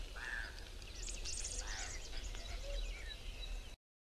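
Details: Two male African hoopoes fighting give harsh, rasping 'kraaaa' aggression calls in short bursts, some rather high-pitched, over a steady low rumble of wind.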